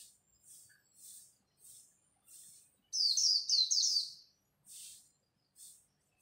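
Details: At dawn a competing white-eye gives a brief, loud flurry of high warbled notes, set against soft, evenly spaced high hissy chirps throughout.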